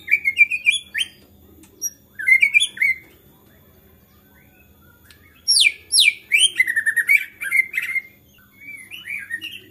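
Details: Agitated white-rumped shama singing hard to stir other shamas: bursts of rich whistled phrases with rising and falling slurs, a pause, then a loud rapid cascade of high, sweeping notes and warbles.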